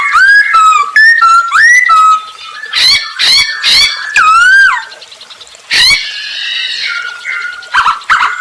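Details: Captive masked laughingthrush in full lively song, meant to prompt other birds to sing: clear looping whistles mixed with harsh rasping bursts and a long descending whistled note, then softer chatter.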